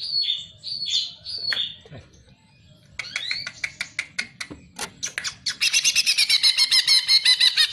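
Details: Cucak ijo (Greater green leafbird) song for training other birds: slurred falling whistles, a quiet gap, then sharp clicking notes that speed up into a dense, rapid trill.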